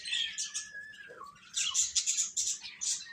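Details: Chicks cheeping in a dense overlapping chorus of high, short peeps. A faint steady whistle-like tone glides lower across the first half.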